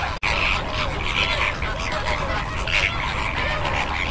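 Greater flamingos in a flock give a constant goose-like honking and gabbling, with many overlapping nasal calls rising above a low rumble of background noise.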